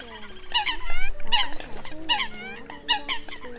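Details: Lure recording of competing Eurasian coot calls for migrating birds: bursts of nasal, honking notes in short groups separated by brief pauses, over a steady low hum.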